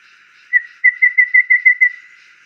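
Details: A wild golden babbler in nature gives one piping whistle, then a quick run of seven even, same-pitched notes, about six each second, over a faint steady hiss.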